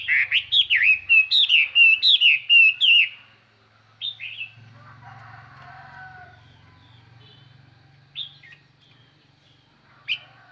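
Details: Decoy Chinese hwamei singing clearly to call in and excite wild birds: a rapid run of about a dozen loud, looping whistled notes in the first three seconds, then scattered short whistles over a low background hum.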